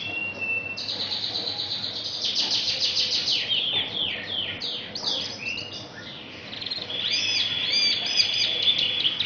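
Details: An Asian pied starling sings, mixing in copied magpie-robin and canary phrases: a thin steady whistle, then fast buzzy trills and swooping slurred notes, ending in looping, bubbling high whistles repeated several times.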